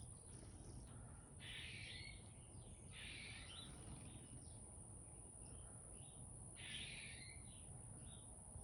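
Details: Three raspy, buzzy chickadee notes at roughly two-second intervals, each about half a second long, heard in a backyard over low environmental rumble and a steady high electronic-sounding tone.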